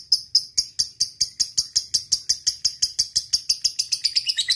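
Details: Fighter lovebird giving a long ngekek trill, used as a tutor and lure to call a rival: sharp, high chattering notes repeated about six times a second, steady throughout and ending in slightly faster, more broken notes.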